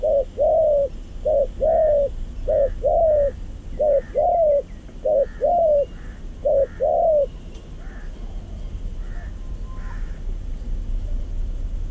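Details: A wild zebra dove gives a rhythmic run of soft, mellow coos in short clustered notes. It was lured by a decoy bird's call into a trap in a yard, where it finally dropped in.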